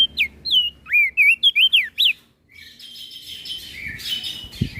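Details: Flores crested white-eye singing vigorously to agitate other birds: two seconds of sharp, looping whistled notes in quick succession, then a softer jumble of high chirps from other birds over low rumbling.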